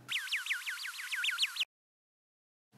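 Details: A kea's rare whistle, usually given while preening or feeding another bird: about a dozen quick, wobbling swoops in a second and a half, twanging like a flexed thin metal sheet, then silence.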